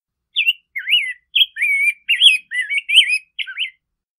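A Rose-breasted Grosbeak sings a rich, robin-like warble of eight quick rising and falling sweet phrases, clear against a quiet background.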